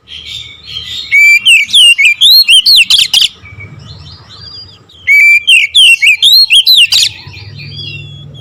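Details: Oriental magpie-robin pouring out two loud nembak ngerol bursts of quick, varied whistled notes, each around two seconds long, separated by a quieter pause with a low hum.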